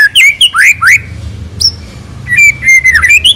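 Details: White-rumped shama (murai batu) singing rich fill phrases for lure use: loud rising whistled swoops, a short gap with a high thin note, then a warbled whistled phrase that dips and climbs.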